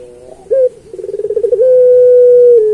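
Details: Turtle dove of the puter pelung type giving a master song for training others: one brief coo, then a quickening pulsed roll that flows into a long, smooth, slowly falling note.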